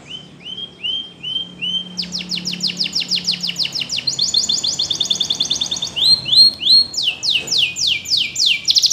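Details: Canary training song: a few rising, swooping whistles, then a quick rolling trill of clipped notes, and later more looping upslurs and sharp downward strokes, bright and high-pitched throughout.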